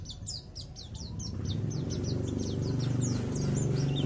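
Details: Oriental white-eye billed as a neighbourhood-level champion singer: rapid high chirps and down-slurred twitters, about four per second, fading in the second half under a loud steady low hum.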